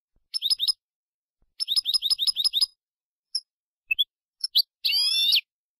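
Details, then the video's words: European goldfinch song from a Málaga-style recording meant for teaching young birds: bursts of rapid, repeated high notes in two phrases, scattered single chirps, then a sustained buzzy trill. "Nuevo CD malagueño para educar jilgueros EL TENOR DE MALAGA 2022/2023"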